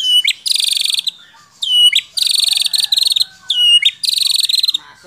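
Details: White-rumped shama (murai batu) from Central Java, Indonesia, in a masteran tutor recording of isian song: bright buzzy trilled bursts, high and rapid, broken by sharp sweeping whistles, repeated in quick phrases.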